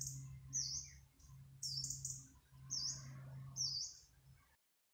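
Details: Yellow-browed warbler singing in its natural habitat: very high, thin, wheezy notes that swoop up and down, repeated about once a second, over a steady low humming drone and faint background chatter.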